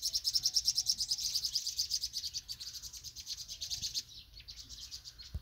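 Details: Young vinous-throated parrotbill fledglings leaving the nest in Banghak-dong, Dobong-gu, give thin, high chips in a quick run of about three per second, then fade and break up near the end.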